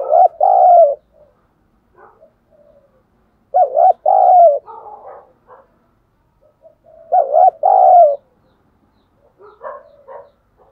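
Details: Spotted dove used as a decoy, 'thổ' voice style, calling to lure wild birds to the perch to fight: three loud phrases of a paired short coo and a longer falling coo, about every 3.5 seconds, each followed by quieter rough notes.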